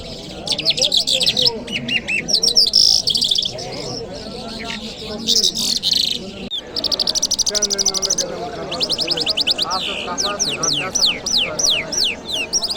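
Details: Lark known as Jal Mashhadi sings on a Friday morning in Kabul, mixing chattering twitters with long runs of rapid, evenly repeated clicks and sweeping downslurred whistles, about three notes per second; soft voices in the background.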